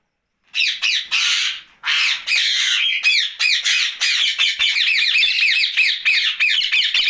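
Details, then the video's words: Ringneck parakeet kept as a pet, heard at night giving a continuous stream of shrill, rasping squawks, fast and irregular, after a brief silent start. "Night Talking parrot Mitthu Ringneck"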